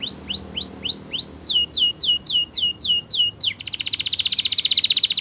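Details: Belgian canary song used for training young canaries: a run of rising hooked whistles, then faster descending sweeps, ending in a rapid buzzy trill.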